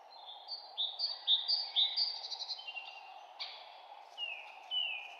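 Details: Birdsong in a forest: rapid high chirps stepping in short bursts, a brief trill, then two long falling whistles, all over a faint continuous hum.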